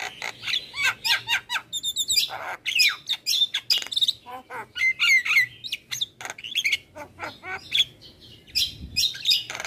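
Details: Champion Javan myna singing very energetically as a tutor recording, a fast jumble of harsh chattering bursts, squeaky notes and short rising and falling whistles, packed tightly with brief pauses.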